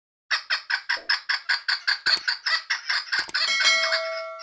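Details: Female chukar partridge calling: a fast series of about thirteen harsh, clucking chuk notes at a steady rhythm, then a sustained tonal hum with thin whistling lines.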